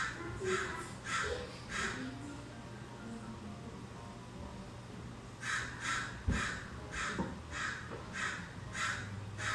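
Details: Backyard American crows in California, which gather in numbers and call morning and evening, captured from inside the house: three harsh caws, a pause, then a looser series of about seven caws, with a faint low hum.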